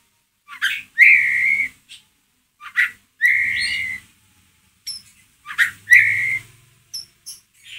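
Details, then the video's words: Ngeriwik calls of a white-rumped shama, played as a lure to rouse a pet shama: three rounds of a sharp upslurred note leading into a long steady whistle, each set about two seconds apart. "MURAI BATU PASTOL NGERIWIK COCOK BUAT PANCINGAN EMOSI MURAI ANDA"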